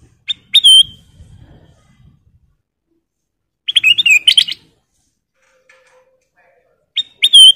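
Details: Golden bulbul (kutilang emas) song used as a master recording for training cage birds: short bright whistled phrases with sharp rising notes, given in three bursts separated by silence, with a faint low rumble early on.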